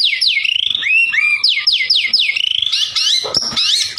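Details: White-rumped shama singing to provoke rival birds: loud, rapidly repeated downward-sweeping whistles, with a lower looping note and a final rush of high sliding notes.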